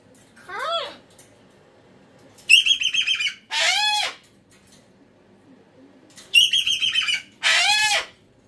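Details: Pet cockatoo having a loud meltdown indoors: harsh harmonic screeches, some pulsed and stuttering, others long arched wails, in two bursts of about three calls each, with quiet pauses between.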